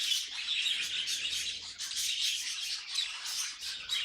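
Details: Scratchy, high warbling and short chirps from budgerigars, coming in quick bursts with a few whistled notes mixed in.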